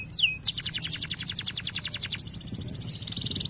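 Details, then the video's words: Canary song meant to stir lazy canaries into singing: a falling whistle, then a quick, regular trill of bright repeated notes that ends in a steady, very high rattle. "estimular muito rapidamente o som do chilrear dos canários preguiçosos"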